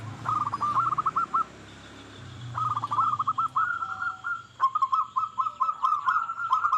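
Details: Local zebra dove song used to stimulate other doves into singing: three runs of quick rolling cooing notes, the last one longer and more staccato, over a steady hiss with faint high ticks.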